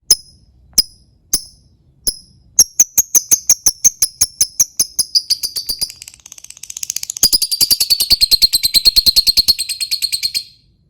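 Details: Lovebird sound used as a lure to prompt other lovebirds to sing: sharp high chirps that speed into a rapid run of clicking notes, then a dense, continuous high chatter trilling for several seconds before stopping abruptly.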